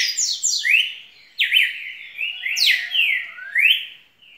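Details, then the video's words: Song of a red-cowled cardinal, full of vigour: clear whistled slurs that swoop up and down in quick succession, phrases overlapping with echo-like tails, in a quiet setting. "Galo de campina muito canto muita fibra"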